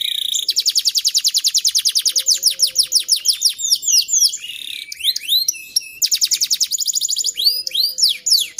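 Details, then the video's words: Canary song used as a master recording to train young canaries to sing, with fast repeated trills, rapid rolling notes and sweeping whistled slurs, loud and continuous. "Masteran Burung Kenari Paud Agar Cepat Gacor Dan Ngeroll Panjang"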